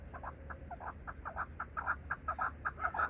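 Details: Pet partridges in a coop, on their first day being let outside, calling while still staying indoors: rapid clucking chuck notes, several overlapping at roughly two per second, over a low steady hum.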